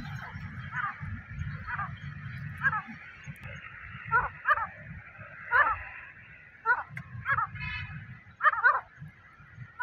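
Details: Wild grey francolin at a nest, giving short harsh calls in uneven bursts roughly every second, over a steady low hum.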